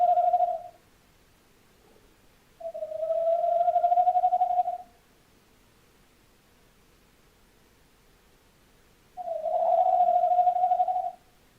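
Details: Tawny owl calling on 11-01-2026: three hollow, mid-pitched hoots, the middle and last ones long and steady with a slight waver, separated by pauses of several seconds of quiet.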